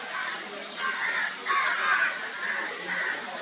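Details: Crow calling while taking a bath: a run of hoarse, drawn-out caws, several close together then spaced, against a noisy, hissing background.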